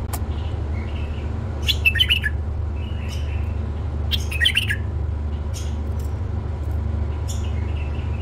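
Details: Tame male bulbul singing two short, loud warbled phrases of quick chirpy notes about two and a half seconds apart, with softer whistled notes between them over a steady low hum.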